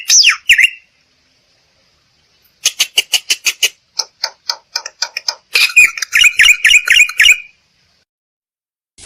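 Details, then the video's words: Black-winged myna vocalising to draw out other birds' song: a few squeaky whistles, a pause, a dry rattling chatter of clicks, then a quick string of harsh squawking notes. "Suara Burung Jalak Putih || untuk pancingan"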